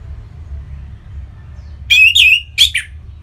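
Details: Orange-headed thrush kept in northern Bali, singing to stir other birds; after quiet, two loud rasping, slurred whistled phrases close together near the end, over a low steady hum.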